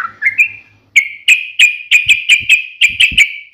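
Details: Yellow-vented bulbul (trucukan) in sharp 'ngalas' style. Three rising whistles give way to a rapid, regular string of loud, ringing clipped notes, accompanied by soft low thumps.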